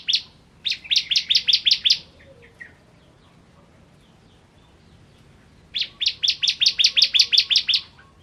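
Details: Ciblek kristal (bar-winged prinia) singing: a string of about eight ringing high chips, a few softer notes, a long pause, then a longer run of about thirteen rapid, evenly spaced notes.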